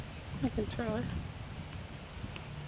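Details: Baby butcherbird chick being hand fed gives a short burst of squeaky, rising-and-falling calls rich in overtones, several in quick succession within half a second, followed by quiet with a low steady hum.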